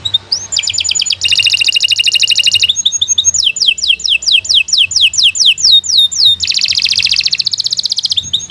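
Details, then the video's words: Canary singing in a long continuous flow for teaching young birds, moving through rapid rolling trills, sweeping repeated notes and buzzy chattering sections with almost no pause. "Kicau Burung Kenari II GACOR PANJANG Cocok untuk Masteran"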